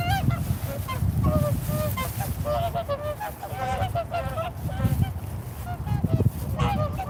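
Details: A flock of swans gives a busy chorus of overlapping honks and bugling notes, with many clear harmonic calls stacked close together. A constant deep rumble runs underneath.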